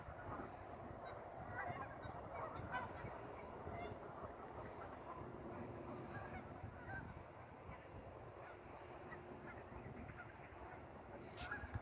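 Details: Over a thousand geese crowd a pond, their honks merging into a constant distant-sounding din of overlapping calls beneath a steady low background hum.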